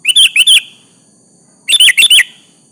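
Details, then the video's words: Sooty-headed bulbul, described as a lively singer calling a rival to provoke an answer; two bursts of bubbly, whistled notes, each a quick run of three or four phrases, separated by about a second of quiet. "Suara Burung kutilang Gacor memanggil lawan Pancingan kutilang agar bunyi nyaut"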